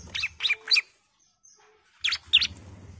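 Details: Bar-winged prinia female calling the male: two short bursts of three and two sharp, high chirps separated by a quiet pause, with a low rumble under the second burst.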